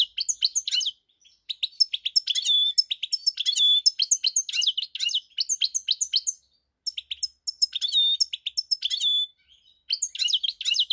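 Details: European goldfinch singing, recorded on 4 March 2022: rapid liquid twittering in dense bursts of chirps and trills, broken by short pauses near the first, seventh and tenth seconds, with no other sounds.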